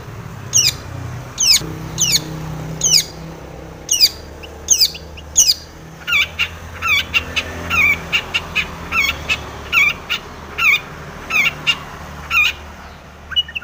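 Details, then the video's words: Long-tailed shrike singing vigorously, its song full of mimicked notes, to provoke other shrikes: high descending squawky phrases at first, then a fast, dense chatter of harsh repeated notes, over faint low hum. "SUARA cendet gacor full isian TOMICENG pancingan cendet agar bunyi"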